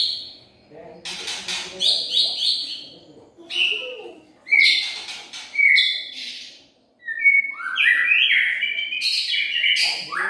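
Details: Lure song of a white-rumped shama (murai batu pikat, 2021): separate bright whistles and slurred notes with harsh bursts, a short silence, then a dense tumbling run of falling and rising whistles.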